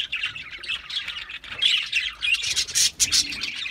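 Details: Budgerigar squawking and warbling, rough high chirps that grow louder and denser toward the end in quick overlapping bursts.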